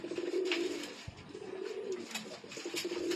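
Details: Pakistani Sialkoti pigeons, a pair indoors, producing nearly continuous low, wavering cooing with slight rises and falls, plus a brief knock and light rustling.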